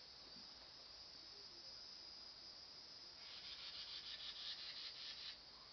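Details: Carolina wren fussing: after three quiet seconds, a rapid, dry, rasping chatter of closely spaced harsh notes lasts about two seconds, then stops.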